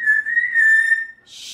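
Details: Captive female African grey parrot indoors, being loud on a fun talking morning: one long, steady, pure whistle held for about a second, then a brief breathy hiss.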